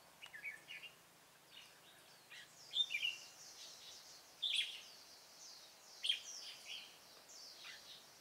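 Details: Red-whiskered bulbul recorded during bird trapping on 27 October 2017. Short, bright, warbled phrases and sharp chirps, with louder bursts every one and a half to two seconds over a steady background hiss.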